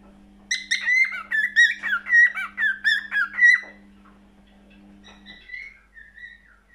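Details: Cockatiel singing a run of bright, repeated whistled chirps that slide up and down, fading into a few soft, drawn-out whistles at the end.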